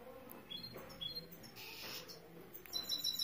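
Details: A Saira canary singing gives short, high whistled notes and chirps in scattered bursts, with a brief hissing rush midway and steady background noise.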